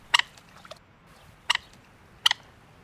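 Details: A Common Moorhen in the city of Rome, near its nest with chicks, gives a characteristic alarm call of three sharp, abrupt notes, spaced unevenly over about two seconds, on spotting a threatening coypu; quiet background.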